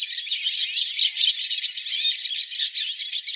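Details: Flock of hooded siskins singing in a live recording. Bright, busy twitters and scratchy chatter from several birds blend into a steady high-pitched wash, with occasional clear whistled notes cutting through.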